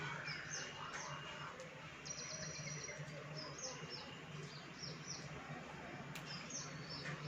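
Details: Monsoon-visiting Baya weaver birds at a balcony chatter with rapid, high, thin chirps, including a tight buzzy string of about eight notes, over a continuous low droning hum.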